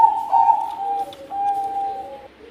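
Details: Bangkok-type zebra dove singing actively in a soft, echoing phrase of sustained whistled coos: a long level note slipping slightly downward, a brief dip, then another held note, with faint lower tones beneath.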